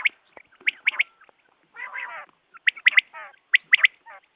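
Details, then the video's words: Quail sound for morning hunting: clipped high notes in quick groups of two or three, separated by pauses, with a short buzzy harsh burst in the middle and faint low chatter between groups. "batair ki awaz subha k liye"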